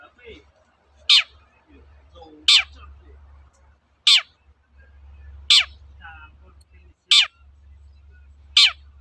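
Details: Long-tailed shrike lure recording, used to make other shrikes sing: a harsh, falling rasping note repeated six times, about every one and a half seconds, over soft low hum and faint twittering.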